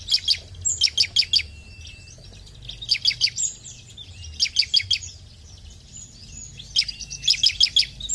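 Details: Bar-winged prinia (ciblek) singing vigorously: tight bursts of four to five crisp, high chirps repeated roughly every two seconds, with faint soft twitters in the pauses and a quiet low hum.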